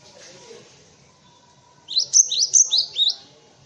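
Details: Cinereous tit song used as tutoring material for white-eyes and other cage birds: after a quiet start, a run of high, sharp two-note phrases, each dipping and rising, repeated about five times.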